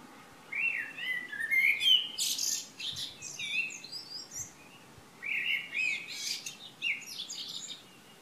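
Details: Birds singing at Šilo, Krk, Croatia, on the morning of 3 June 2015. Two loud, rich song phrases mixing whistled slurs with rapid buzzy trills, separated by a short pause, with faint low knocks between.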